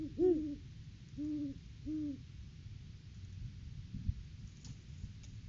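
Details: Great horned owl at its nest tree during the off-season, December 2022, live camera recording while the pair duets: three deep hoots, the first strongest, about a second apart, then low hum and faint clicks.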